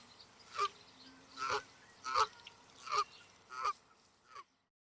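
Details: Canada geese swimming on a lake, calling to one another; five loud, evenly spaced honks about three quarters of a second apart, followed by a weaker sixth and then silence.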